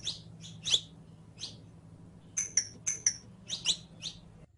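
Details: Saffron finch song as a model for a captive bird: high, bright chirps in loose groups with a short pause, then a quicker run of clipped notes. Soft hum underneath.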